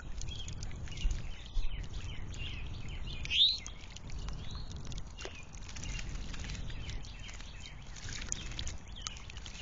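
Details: Towhee at backyard feeders beside natural woods and a creek in the foothills of the Appalachians, northwest of Atlanta, Georgia, 1,060 ft elevation; one loud, sharp rising whistled note stands out over faint chirps from other birds and steady outdoor noise.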